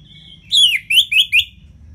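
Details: Orange-headed thrush in ngeplong song meant to coax reluctant birds into singing; a thin steady whistle gives way to four loud, slurred, descending whistled notes in quick succession.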